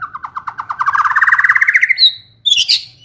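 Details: White-rumped shama song meant to rouse another bird into singing: an accelerating series of pulsed notes rising steadily in pitch, then a clear whistle and a harsh burst.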